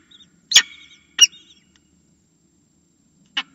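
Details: Falcon at its nest, filmed by a nest camera, calling for food: two loud, harsh, rasping notes close together, a long pause, then a third shorter note; a soft low background hum.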